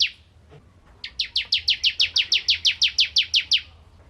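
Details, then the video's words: Bar-winged prinia singing vigorously, intended as training song for white-rumped shamas: after a lone note and a quiet second, a fast regular string of about fifteen sharp, descending high chirps. "Burung Ciblek Kristal Gacor Untuk Masteran Murai Batu"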